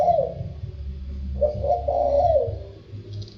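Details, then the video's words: Spotted dove cooing in the 'thổ sâm' voice style: two soft, low, hollow coo phrases, the second longer and slightly wavering, over a steady low rumble of background hum. "Tiếng chim cu gáy chuẩn Giọng thổ sâm"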